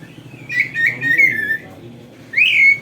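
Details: Oriental magpie-robin, a kept songbird used as a training tutor, delivering a long wavering whistled phrase over a low background hum, then a louder rising, slurred whistle at the end.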